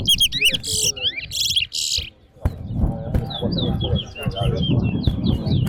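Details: Chestnut-bellied seed finch (Sporophila angolensis) singing at a bird singing competition: quick, high, slurred whistles and twittering bursts over the steady murmur of a talking crowd.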